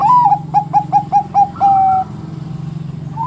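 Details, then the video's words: Bangkok-type zebra dove, a persistent singer said to provoke other doves into singing: a rising opening coo, then six short clipped coos and a long level closing note. A steady low hum runs underneath. "Suara PERKUTUT Bangkok Gacor NGEROT super BEKUR ini paling pintar membuat Kutut Lain BUNYI emosi"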